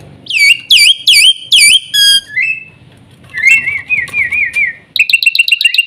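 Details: Black-winged myna making loud, swooping whistles, then a wavering, undulating whistle, ending in a rapid burst of short pulsed notes.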